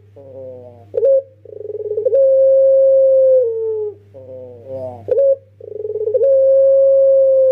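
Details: Pelung-style cooing from a young domestic turtle dove used as a decoy. Two full phrases, each opening with wavering notes and a short sharp coo, then a pulsed roll that stretches into a long level tone and dips at the end. A steady low hum runs underneath.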